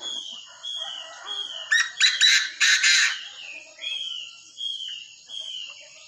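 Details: Tamed Chinese francolin calling a burst of five loud, rasping notes, set among repeated clear, descending whistles from another bird before and after.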